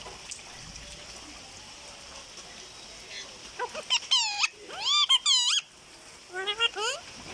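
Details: Parrot talking: after several seconds of hiss and background murmur, a series of squeaky, bending, speech-like syllables in two short bursts, with steady background noise throughout.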